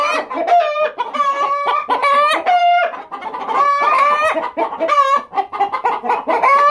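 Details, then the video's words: Chorus of hens and a rooster clucking loudly: overlapping nasal, stuttering clucks and drawn-out squawking notes, continuous and dense throughout with barely a pause. "Chicken Chorus Time Clucking Hens and Rooster"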